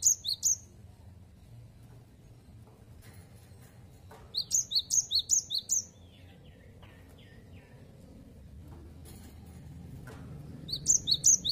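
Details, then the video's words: Cinereous tit (gelatik batu) singing its 'wucit wucit' song in three short bursts of rapid, high, two-pitched whistled notes alternating low and high. Long quiet gaps separate the bursts, with a faint low hum underneath. "Gelatik Batu Gacor Wucit Wucit Suara"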